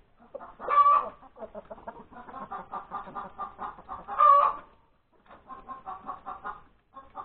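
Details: Breakfast-time hen on January 31, 2021, calling after laying her egg. A long, harsh squawk opens, then a steady string of short clucks leads to a second loud squawk, followed by more clucking.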